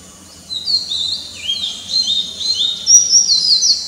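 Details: Oriental magpie-robin singing in the morning amid a bird chorus: a continuous run of varied, high, sweeping whistled phrases that rise and fall, starting after half a second and growing brighter toward the end.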